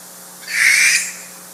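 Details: American barn owl screaming at an aviary in southeastern Minnesota/southwestern Wisconsin, a captive owl and a wild one answering at very close range: a single harsh, hissing, high-pitched scream of about half a second over a faint hum.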